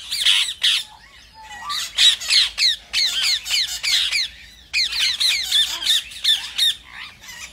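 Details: Rose-ringed parakeet calls, played to stimulate other parrots to sing: rapid, high, shrill squawks in quick bursts of three or four, repeated about three times a second with short pauses, in a quiet setting.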